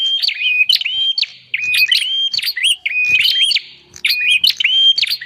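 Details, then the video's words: Bar-winged prinia lure recording for calling in wild birds: strong high chirping phrases with rising notes and a level whistled tail, punctuated by clicks, in groups separated by short quieter dips; faint low hum. "Suara pikat burung prenjak"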